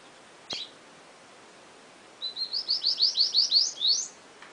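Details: Caged seedeater (setillero) singing: after one sharp chip, a quick trill of about ten bright notes, each rising and growing louder, ending in a higher upswept note, over faint background hiss.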